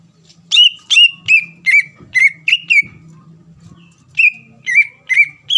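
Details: Greater green leafbird singing to provoke a rival into song: a string of clear downslurred whistles, about three per second, briefly pausing, then four more, over a faint low hum.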